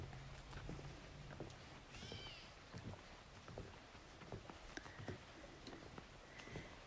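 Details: Gray Catbird complaining off to one side in a botanical garden in late summer (September 7) near fruiting elderberry: one faint, slurred, cat-like mew, then softer short notes, with rustling, clicks and footsteps.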